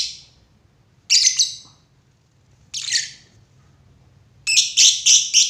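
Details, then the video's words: Lovebird uttering a few separated shrill squawky chirps, then a rapid run of five sharp, high, metallic notes at the end; quiet background between calls. "lovebird // burung cinta"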